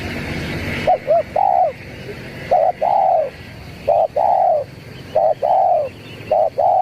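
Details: Zebra dove call used as a lure: soft, hollow cooing phrases, a short double note followed by a longer drawn note, repeated about every 1.3 seconds over a steady background hiss.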